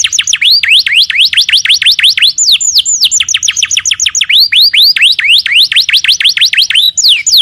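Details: Lively canary song made of long runs of rapid repeated sharp whistled notes, each dipping then rising, broken by a few slower downward slurs, continuous and high-pitched.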